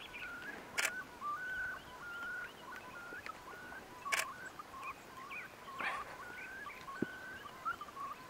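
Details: Far Eastern curlews courting in early May 2016 on the Bira River, Central Priamurye, Jewish Autonomous Region, Russia, as a male pursues a female: short whistled notes, some rising and some falling, repeat steadily, broken by sharp camera-shutter clicks.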